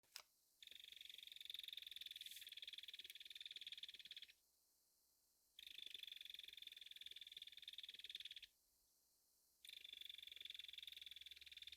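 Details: Belted kingfisher, a bird native to North America, giving loud, harsh, dry rattles of rapid clicking notes in three long bursts of about three to four seconds each, separated by short silent gaps.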